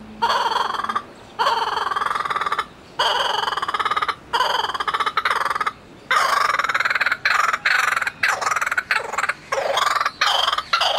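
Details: A laughing kookaburra at Hamura Zoo gives its loud, rollicking cackle: rapid harsh hoots rising and falling in long bursts with brief pauses between.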